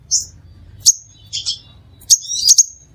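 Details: Crimson sunbird singing to lure other sunbirds: a quick series of high, piercing chirps and short buzzy trills, irregularly spaced within a few seconds, over a soft low background hum.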